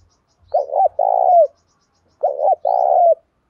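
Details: Đồng Pha style spotted dove cooing meant to provoke fighting and prompt other caged birds to coo. Two matching phrases a couple of seconds apart, each a doubled short coo and then a long, even, purring note that drops at the end.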